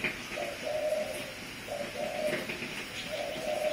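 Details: Decoy spotted dove cooing, short two- to three-note phrases repeated roughly each second, steady low pitch, indoor room echo and light ticking noises.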